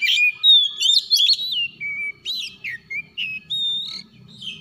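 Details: Morning calls of an Oriental magpie-robin, known locally as kacer: a continuous string of clear whistles, some long and level, others quick upward and downward slurs, with a faint low hum underneath.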